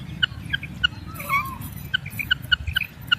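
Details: Female common quail kirak: spaced short sharp pips about three per second, with a brief slurred whistle in the middle, over low constant rumble.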